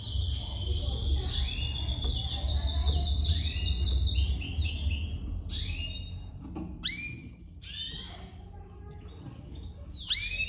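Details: Domestic canary mother tending her chicks; a long run of fast, high, pulsing chirps lasts several seconds, followed by isolated loud, sharp downward-sweeping call notes, with a steady low hum underneath.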